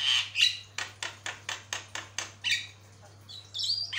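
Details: A Javan myna on a long tutor recording: two loud whistled squawks, then a row of about eight harsh clicking notes, roughly four a second, ending in high squeals, with a low hum behind.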